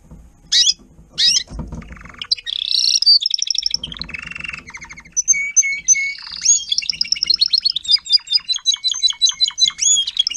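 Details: Timbrado canary singing as an adult tutor for young canaries learning song, 2021: a few sharp chirps and a buzzy rattle, then a long run of fast repeated trilled notes and whistled tours building steadily.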